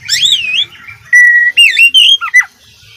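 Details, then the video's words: Oriental magpie-robin (kacer) in vigorous full-fill masteran song: a looping warbled whistle, a long steady whistled note, then quick slurred phrases with rising and falling sweeps ending in a sharp downward note. "suara masteran kacer gacor full isian"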